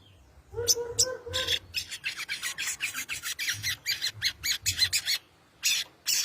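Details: Sogon giving its 'konslet' song, used to call a rival and as a lure to get other birds to answer: a few low tonal notes, then a fast run of harsh, rasping, buzzy bursts repeated about three times a second, ending in two separate bursts.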